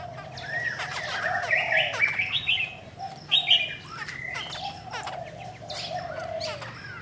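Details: Caged female Chinese hwamei, da bò type, noted for provoking males to sing; varied whistled and warbled phrases with a strong high note near the middle, backed by a low repeated tone and busy chirps of other birds.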